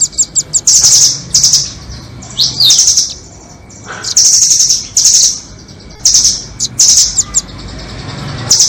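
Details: Lure recording for nuthatches, doraemon and red-billed types: a mix of fast high chips, dense shrill trills and a rising squeal, in uneven bursts with brief quiet gaps.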